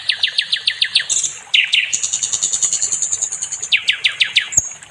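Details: Nightingale (sikatan londo) song used for training other songbirds: a rapid run of descending chirps, a long high whistle crossed by quick pulses, then more sharp falling notes and a short buzz.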